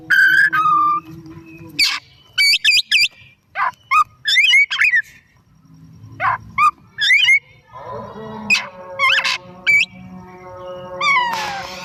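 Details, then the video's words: Kacer (Oriental magpie-robin) in lively afternoon song: quick clusters of looping whistles and sharp chips repeated in bursts, a lower slurred phrase at the start and a sweeping descending note near the end. "Burung Kacer Gacor || Bahan Istimewa Pancingan di Sore Hari"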